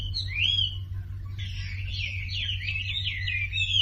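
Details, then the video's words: Sumatran leafbird song used as a lure so that silent birds join in singing: a rising whistled sweep, then a pause and a fast, varied, warbling run of high notes, over a steady low hum. "SUARA MASTERAN WAMBI UNTUK YANG DIAM IKUT KICAU"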